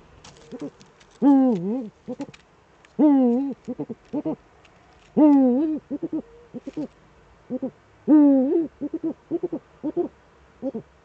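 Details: Eurasian eagle-owls duetting in the Eifel, 13 December 2013 at 17:25, male at the nest: a long, wavering hoot about every two seconds, each followed by a few short clipped hoots, in a quiet background.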